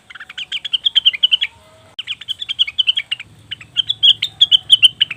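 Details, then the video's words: Leafbird, known locally as cucak wilis or rengganis, in a lure recording: three bursts of rapid, high twittering chirps separated by short pauses, with a low droning hum joining in the last burst. "pancingan burung cucak wilis/rengganis dijamin langsung bunyi"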